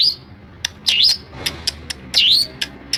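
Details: Long-tailed shrike (pentet) imitating other birds' calls; two swooping, dipping-then-rising whistles separated by scattered short sharp high ticks, with a rather uneven rhythm.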